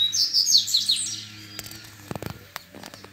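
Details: Double-collared seedeater in the wild, singing grego-style against rivals: a quick high twittering phrase in the first second, then quiet hum broken by several sharp clicks and knocks.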